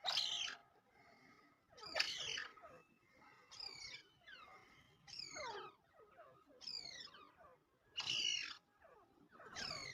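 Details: Distant partridge giving a string of rasping, downward-sliding screeches at irregular intervals, with quieter answering notes between them and a soft background hiss.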